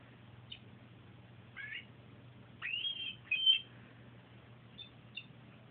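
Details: Pet canary singing softly on a sunny day: a few sparse, quick upward-sweeping whistled notes and brief chirps separated by pauses, with a low steady hum underneath.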